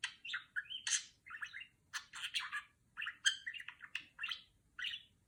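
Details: Pet female budgerigar doing R2-D2 imitation: clipped bursts of squeaky chirps, beeping whistles and buzzy notes, about a dozen separate short phrases spaced by brief gaps, loud and high-pitched throughout.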